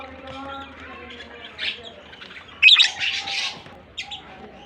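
Lovebirds give short, harsh, buzzy squawks in brief bursts, loudest near the middle, over a faint steady low hum.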